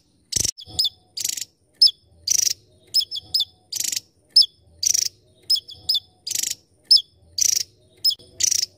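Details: Tiny Javan tesia song made of piercing high chips and quick twittered figures alternating with dense buzzy bursts, delivered in a brisk, evenly spaced series over about nine seconds, with a quiet background.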